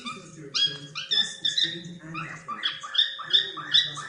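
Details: A pet cockatiel, playing and whistling, gives a run of bright, harmonic chirps and short whistled notes, several each second in quick chattering bursts.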